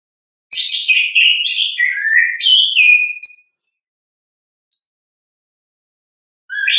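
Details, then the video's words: Wild orange-headed thrush in ngeplong song: a continuous three-second stream of rich, rapidly changing whistles, slurred downward notes and high squeaky flourishes, silence, then a rising whistled phrase starting again. Nothing else audible. "ANIS KEMBANG GACOR, pancingan suara asli alam anis kembang"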